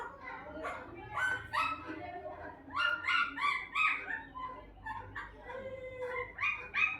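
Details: A parrot mimicking Hindi speech, “mummy, papa, kaun aaya?”, as a steady run of choppy, nasal syllables about three per second, rasping and shrill throughout.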